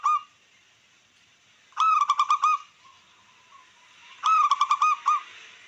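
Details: Zebra dove of local wild stock in song meant to stir rivals and breeding drive. Two clear bursts of quick, bubbling, pulsed notes, each under a second, separated by a long quiet pause, with a brief note at the start.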